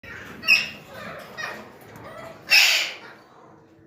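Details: Alexandrine parakeets gathering give two loud, harsh, ringing squawks about two seconds apart, with softer scratchy calls from other birds between them.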